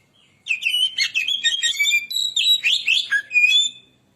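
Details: Oriental magpie-robin (kacer) used as a lure singer, pouring out an energetic, continuous medley of sharp whistles, warbles and scratchy notes in rapid succession for over three seconds, with a clear whistled phrase near the end.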